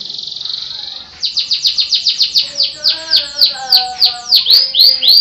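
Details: Caged Russian-type canary from Pemalang, Central Java, Indonesia, singing: a held high buzzy note, then a fast rhythmic series of repeated downslurred whistles, about three or four per second, with lower harmonics.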